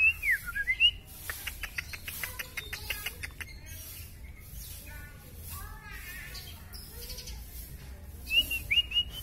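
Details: White-rumped shama of the K.L. type with a very long tail in full song: a looping whistled phrase opens, then rapid dry clicks, rattles and twittering notes, fading to soft chatter, before clear whistled swoops return at the end.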